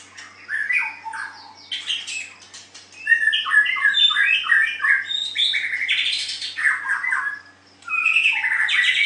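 A White-rumped shama pours out a rich, fast medley of varied whistles, chattering notes and harsh squawks, with a brief pause before resuming in an indoor setting.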